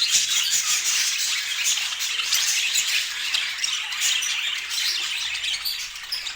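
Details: Pet budgerigars chatter in a loud, continuous stream of rapid squawks and warbles, many birds calling at once, easing slightly toward the end.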